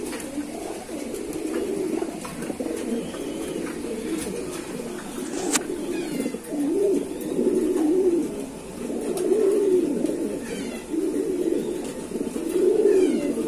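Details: Kept pigeons: low, rolling coos repeated in rounded phrases every second or two, over a dull background hum with a sharp knock midway.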